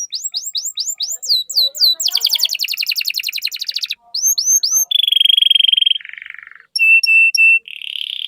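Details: Canary song meant to coax other canaries into singing, changing tour by tour: falling whistled sweeps, a very fast rattling trill, more sweeps, a steady high pure whistle, a lower buzzy tour and short repeated notes.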